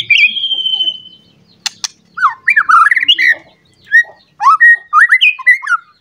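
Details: Agitated white-rumped shama searching for a rival opens with a long clear falling whistle, then sharp clicks and a run of warbled, rising and falling whistled notes in short bursts.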